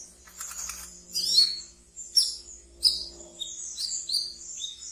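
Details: Caged brown-throated sunbird kept as a pet, singing in the chattering ngeriwik style used as a training lure for young birds; high, thin twittering chirps and sharp squeaky notes in irregular bursts, with a faint low hum underneath.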